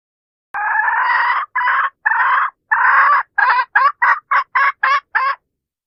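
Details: Decoy hen calling to lure roosters, 2025: three longer nasal squawks, then a quickening series of shorter clipped notes, roughly ten in all.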